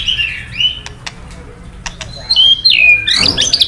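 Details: Male white-rumped shama kept caged, provoked by recorded calls, gives soft whistles, scattered clicks, then loud high slurred whistled phrases near the end.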